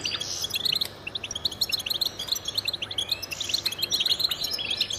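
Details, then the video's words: Male goldfinch song, used for territory defence and attracting mates: fast tinkling chirps and twitters in quick succession, with a few rising slurred whistles and rasping bursts, over a steady faint low hum. "Power of Goldfinch Songs"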